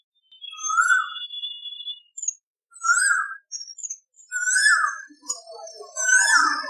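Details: Asian koel in India giving four rising, whistled 'ku-oo' notes, one about every two seconds, over a thin steady whistle and some softer chatter from other birds.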